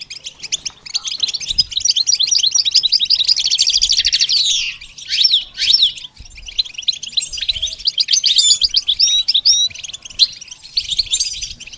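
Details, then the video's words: Extended goldfinch song of rapid high twittering and trilled phrases with a few sharp slurred whistles, broken by short pauses. "The basics of training the goldfinch to sing"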